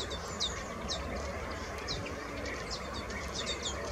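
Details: Fledged young European bee-eaters in the Eifel give begging calls: high, thin, down-curving chirps, several each second, over a steady low rumble of wind or distant noise.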